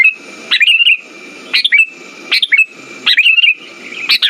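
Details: Sooty-headed bulbul lure song for stimulating non-singing birds: rapid liquid whistled phrases, each ending in a short warbling trail, repeated about once a second amid a steady thin tone and soft low noise.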